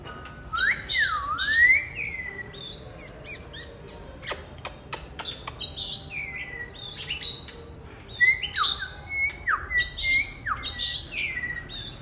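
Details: Black-and-white oriental magpie-robin singing passionately while displaying; loud varied whistled phrases with sweeping rising and falling notes, interspersed with sharp clicks and high chirps, short pauses between bursts.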